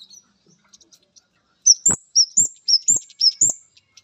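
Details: Orange-headed thrush male reacting to a female, giving a quick run of loud, high upslurred chirps after a few soft ticks, with dull knocking sounds between notes.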